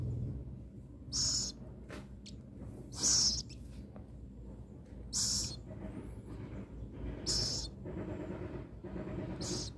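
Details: Little owl waiting to be fed, kept until it can hunt on its own, repeats short rasping hisses about every two seconds, with faint clicks and rustling between them.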